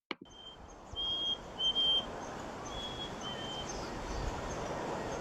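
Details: Black-capped chickadee from the Seattle area giving its clear, whistled "hey sweetie" or fee-bee call, a higher note dropping to a slightly lower one, then fainter repeats over a soft background hiss.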